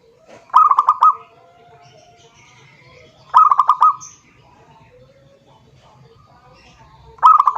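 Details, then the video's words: Zebra dove song calling a rival, used as a lure: three rolling phrases of quick coo pulses about three seconds apart, with faint scattered chirps between them. "suara perkutut memanggil lawan"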